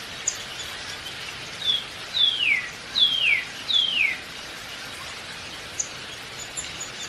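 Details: A downy woodpecker calls: a short faint note, then three strong high notes sliding down in pitch about once per second, with light background hiss afterward.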